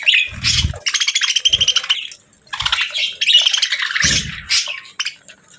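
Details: Budgie chattering in pulsed, buzzy trills and squeaky chirps in two main bursts, with short low thumps between them.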